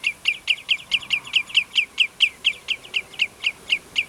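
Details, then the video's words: Common redshank at Prunjepolder, Zeeland, recorded 15 June 2010, giving a rapid, steady run of loud, high, clipped piping notes, roughly four per second, each note a sharp downward-falling yelp, with quiet surroundings. "Tureluur - Tringa totanus - Redshank"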